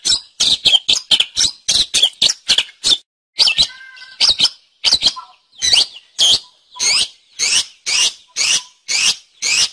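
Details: Long-tailed shrike in lively song for songbird training: quick sharp high chips in uneven bursts, a brief lower whistled note near the middle, then evenly spaced rising, squeaky notes repeated roughly twice a second.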